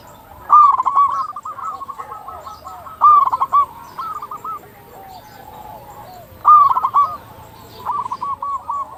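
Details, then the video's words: Local zebra dove singing persistently, recorded for luring other zebra doves into calling: mid-pitched rolling cooing phrases with a bright opening note, repeated about every three seconds, with softer overlapping coos between them. "Perkutut lokal gacor suara paling ampuh untuk pancingan burung perkutut agar cepat bunyi"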